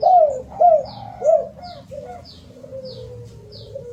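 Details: Cuckoo dove cooing, used to lure other birds into singing: three clear descending coos about half a second apart, then softer trailing coos, with faint high chirps from other birds throughout.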